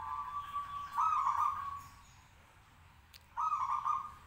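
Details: Zebra dove of a local breed, caged and hung up high, singing actively so that other doves answer. Two near-joined, trembling mid-low coo phrases come first, then a pause and one more similar phrase, with faint hiss behind.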